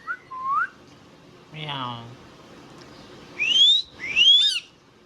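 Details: Indian ringneck parrot producing a short rising whistle, a rough buzzy word-like burst, then two bright whistles sweeping steeply upward, with quiet gaps between.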